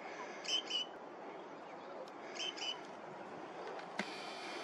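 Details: Algerian great grey shrike on the Caserta coast, Italy, giving two paired, harsh, mid-high notes about two seconds apart, over steady background rumble and one sharp click.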